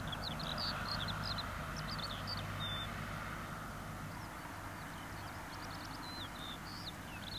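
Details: Eurasian skylark at Waalenburg, Texel, pours out a thin, high, unbroken stream of chirps and trills over a steady low rumble of wind or distant engine noise.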